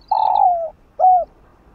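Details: Spotted dove coo used to spur sluggish captive doves into cooing: one long mellow note sliding gently downward, a brief gap, then a shorter clear coo. No other sounds are heard.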